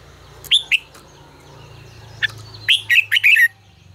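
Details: Red-whiskered bulbul singing the fiery 'ché căng lửa' song as a lure for training: two sharp whistled notes, a single chip, then a fast tumbling phrase of four or five rich warbled notes over a steady low hum.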